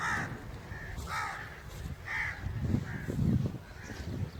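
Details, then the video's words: Crow giving about four harsh, nasal caws spaced roughly a second apart, fairly faint against a low rumbling background noise. "Crow's Crowing Sound Effect"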